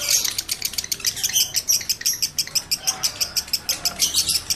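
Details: Male lovebird in breeding condition gives a fast, evenly paced series of high, clipped chirps that builds into a rattling chatter. The chatter is meant to bring other males into condition.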